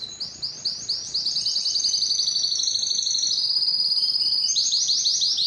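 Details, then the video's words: Canary singing high, fast trills that merge into a long rolling tour, finishing with quick chopped repeated notes. "canary bird sound"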